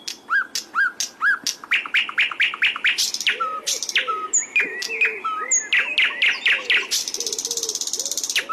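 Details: Flycatcher song meant as a masteran for teaching birds: repeated rising chirps about twice a second over soft low warbled notes, then thin whistles and a closing fast rattling trill.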